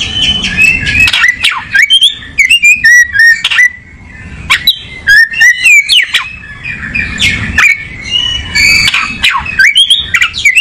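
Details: An oriental magpie-robin settling into a comfortable position sings a rich, varied run of clear whistles, sharp chirps and rising and falling slurred notes, with hardly a pause across ten seconds.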